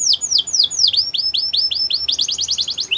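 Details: Belgian canary champion song, a training model for young canaries: drooping whistled sweeps repeated several times a second, then upslurred notes and a quick rattling trill.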